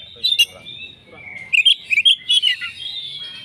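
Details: Oriental magpie-robin answering a rival in fighting song: harsh burst, a long thin whistle, then a cluster of sharp bright notes, with low murmuring voices beneath.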